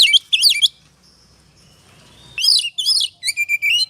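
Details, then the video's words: Oriental magpie-robin, ngobra style, as a singing lure: two loud swooping whistled notes, over a second of near silence with faint hum, then a burst of bright rising and falling whistles. "Pancingan suara kacer ngobra,,pasti emosi dan gacornya terpancing.."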